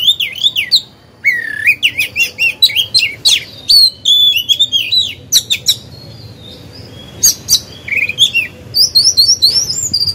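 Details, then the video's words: Caged oriental magpie-robin used to trigger singing in other birds; long varied song of looping whistles, chips and slurred notes, a quieter stretch midway, then renewed high twittering phrases. "Chòe than hót hay, luyện mồi, kích bổi, tập chim non, mép vàng hay!"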